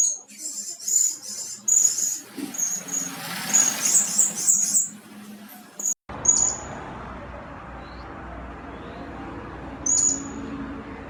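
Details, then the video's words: Blue-crowned hanging parrot sounds used as a lure to attract birds: a quick series of shrill high chirps for several seconds, then steady background hiss with a couple of isolated thin notes. "Suara-Suara Denak Pemikat Burung Serindit Dada Merah"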